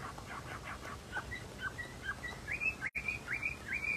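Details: Very rare albino Chinese hwamei, an owned bird praised for fine singing: faint, clear whistled notes repeated irregularly, several rising slurs climbing higher toward the end, over a low background hum.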